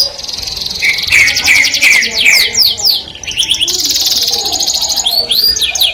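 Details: Canary singing melodiously to attract the opposite sex, a long buzzy trill over repeated whistled notes, then a rapid roll and rising slurs, with faint background noise.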